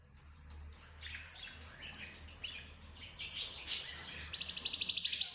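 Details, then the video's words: Pet budgerigars, zebra finches, canaries and roz birds mingling their voices: soft scattered chirps over a low hum build into louder warbling, ending in a rapid, evenly pulsed trill. "حديث الطيور"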